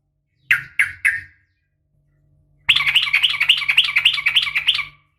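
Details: A female yellow-vented bulbul calling a male gives three sharp chirps, falls silent, then breaks into a long, fast, buzzy 'ropel' chatter of about two seconds, with a low electrical hum.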